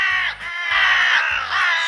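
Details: A crow, one of the wintering birds of a winter forest, gives three harsh, hoarse caws, each about half a second long and evenly spaced, with a faint low hum underneath.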